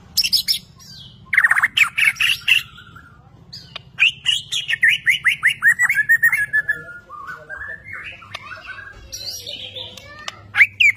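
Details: White-rumped shama from Borneo, a newly acquired kept bird displaying actively, sings sharp high whistles then a run of evenly repeated descending chip notes, about a dozen, followed by rising warbled phrases and a final sharp whistle.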